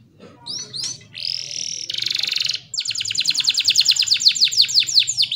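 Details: Canary singing as master song for young and quiet canaries: two upward chirps, a held whistle, a buzzy roll, then a long series of rapid descending sweeps, loud and steady.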